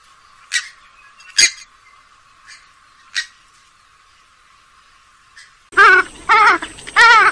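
Purple swamphen giving three loud, harsh, nasal wavering shrieks in quick succession, after a few faint, sharp, scattered notes.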